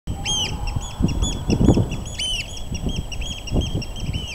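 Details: Eurasian oystercatcher giving loud, shrill piping notes in a rapid, excited series, each note arching up and down, with low rumbling thumps of wind or handling noise underneath.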